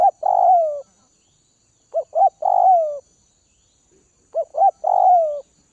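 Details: Spotted dove of Northwest-region stock, kept and being tamed, gives three phrases roughly two seconds apart, each two quick notes leading into a long, slightly burry coo that slides downward.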